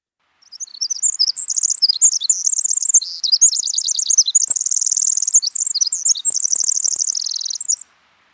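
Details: A Pacific Wren sings a long, rapid, unbroken cascade of high tinkling trills and buzzy runs for about seven seconds, ending in diagnostic call notes; recorded in breeding season, and heard year-round in local forests.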